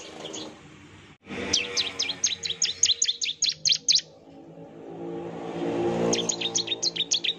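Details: Bar-winged prinia song played as a lure to make another prinia answer: two bursts of rapid, thin, high chirps, the first after a brief pause, the second over a rising vehicle drone.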